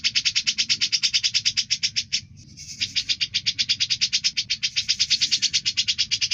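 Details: Cucak jenggot, the grey-cheeked bulbul, in full prolific song meant for training other birds: rapid high buzzy pulses repeated in a long chattering run, with a brief break near the middle before resuming just as fast.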